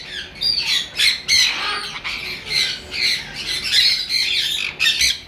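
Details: Breeding pair of sun conure parrots screeching loudly: harsh, piercing squawks in bursts of roughly half a second, several per second at times, overlapping between the two birds, with only faint background noise.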